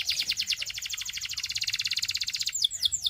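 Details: Singing canary delivering a dense, rapid rolling trill for about two and a half seconds, ending in a few sharp downward whistles.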